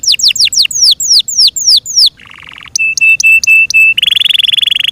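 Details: Yorkshire canary kept in care singing loud, varied phrases: a run of rapid descending whistled sweeps, a brief buzzy trill, a series of clipped steady notes, then a fast rattling roll.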